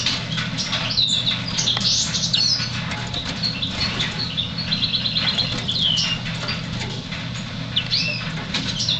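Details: African yellow canary (Serinus flaviventris) singing: bursts of high, twittering, warbled notes with quick chirps, over a steady low hum and soft fluttering and pattering noises.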